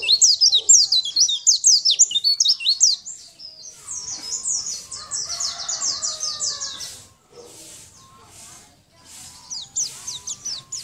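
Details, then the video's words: Champion Sunda white-eye in full song for training other songbirds: dense bursts of shrill, steeply falling notes, easing into softer chirping with a faint low warble behind, then a final high flurry. "Masteran pleci gacor"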